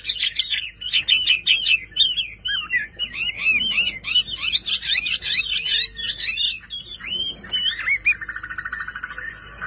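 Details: Chinese hwamei kept by a hobbyist, delivering fast, varied whistled phrases with quick trills and wavering notes. The song ends in a harsh, buzzy rattling phrase.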